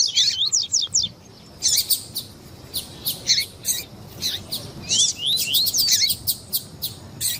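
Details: Double-collared seedeater, male song with female calls, meant to excite the male: rapid high rising whistles and dense buzzy notes repeated in quick sequences with brief gaps.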